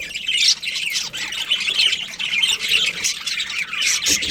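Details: Colony of budgerigars including a breeding pair: harsh, chattering squawks overlap with thin chirps in a steady high jumble, louder around the first half-second.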